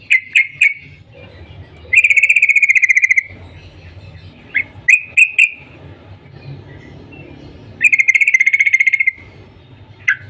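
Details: Yellow-vented bulbul calling in the morning to get other bulbuls singing. Short clusters of sharp 'cuk' notes alternate with rapid, buzzy pulsed trills at about two and eight seconds, over a low steady hum.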